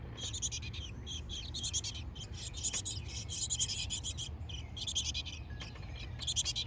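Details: Chickadee nestlings in a backyard birdhouse (hardiness zone 6a) give a steady stream of high, scratchy, buzzy chirps in rapid bursts over a low rumble; the mother lands on a nearby feeder and a fledgling pokes its head out.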